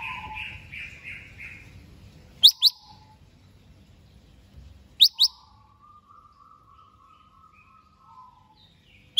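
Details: Greater green leafbird ready for a singing contest: soft warbled notes, then pairs of sharp high downslurred whistles at intervals, a long trembling low warble between them, and faint low background rumble.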